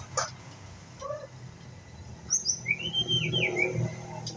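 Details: Young pistol-tailed white-rumped shama learning its song: a few soft low notes, then a high whistled pair and a loud arching slurred whistle followed by a quick chattering run, with steady low hum behind.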